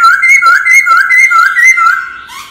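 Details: Voice-training song of a laughingthrush in forest style: a loud whistled phrase rising and falling, repeated about every half second, fading at the end.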